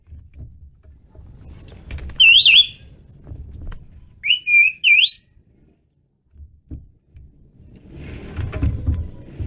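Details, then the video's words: Asian pied starling singing intensely: two loud, wavering whistled phrases with bending, up-and-down notes, followed by a rougher noisy passage against low background rumble. "jalak suren menggila"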